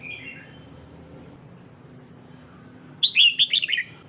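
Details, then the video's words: Female red-whiskered bulbul calling to stimulate a male: a faint, distant-sounding phrase opens, then after a pause a loud, rapid run of bright falling chirps closes, over steady low background noise. "Chào Mào Mái DAM DANG Kích Trống Bắn Tùm Lum"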